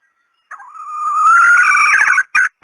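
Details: Female red junglefowl call used as a hunting decoy in Thailand: one long, harsh, drawn-out note that rises slowly and grows louder over almost two seconds, ending with a short clipped note.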